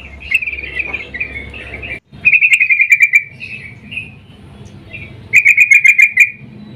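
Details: Female sooty-headed bulbul in breeding mood calling a male, used to lure: soft uneven notes, then after a brief dropout a clear run of rapid descending chirps, and later another quick chirping run.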